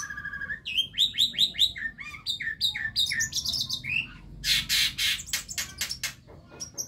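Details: A young male Javan myna learning its song runs through quick, varied whistles and chirps, some rising or dropping, then breaks into harsh, scratchy bursts before more thin whistles.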